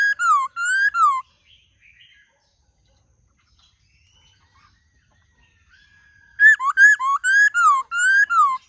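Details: Short burst of swooping laughingthrush whistles, several seconds of near silence with faint distant notes, then a renewed rapid series of loud looping, falling whistled phrases.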